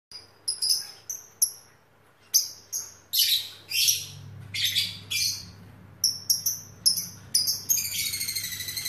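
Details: Lovebird used as training material for lovebird fighter song, giving high chirps, shrill sweeping screeches and rapid harmonic trills in bursts, ending in a sustained buzzy rattling trill; low hum beneath.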